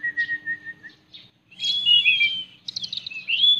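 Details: A white-rumped shama opens with a steady, level whistle. After a short pause it bursts into rich, warbling, slurred notes and rapid fluttering trills. A low background hum is audible.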